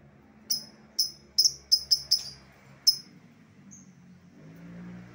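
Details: Lovebird lure call used to call back an escaped bird: seven sharp, high chirps, some in close pairs, over about two and a half seconds, then a faint thin note and quiet low hum.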